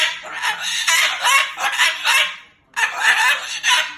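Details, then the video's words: Moluccan cockatoo kept as a pet, angrily talking and swearing: loud, hoarse, wavering syllables run together, with a short gap before a final burst. "Misha bird does NOT want to go home - or maybe he does. He's talking and cursing LOUD and funny"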